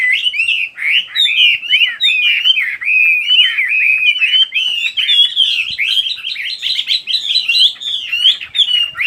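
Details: Birds singing in a dense, continuous chorus of quick, twittering and warbling chirps. The notes are bright and high, rising and falling rapidly with no pauses and no other sounds.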